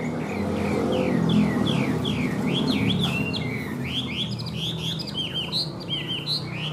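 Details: Caged Chinese hwamei, a bird kept for sale, singing a rapid run of loud slurred whistles, each note sweeping up and down, repeated nearly three times a second over a low background hum.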